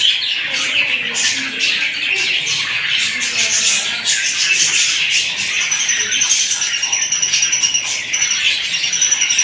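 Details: Budgerigars in breeding season, with eggs, chatter continuously: a dense mix of high warbles, squeaks and chirps from several birds at once.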